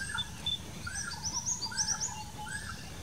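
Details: In a bamboo patch in the Dangs, India, a Bar-winged flycatcher-shrike gives a quick run of thin, high upslurred chirps, with lower whistled notes from other birds and a steady low rumble behind.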